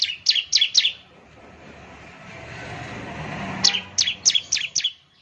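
Bar-winged Prinia giving two quick runs of four or five sharp, high, down-slurred chirps, about four per second, split by a pause with a low background hum.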